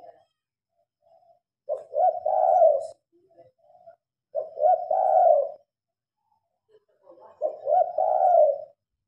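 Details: At night when lamps are lit, a spotted dove repeats a soft two-part coo phrase three times, about every two and a half seconds, with faint short notes between; recorded on a Samsung phone.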